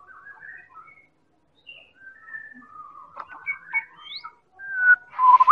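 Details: White-rumped shama of the Medan type, a lure recording for prompting other birds to sing: scattered clear whistled phrases, some rising, some falling, in loose bursts, ending in louder slurred notes and a burst of noise.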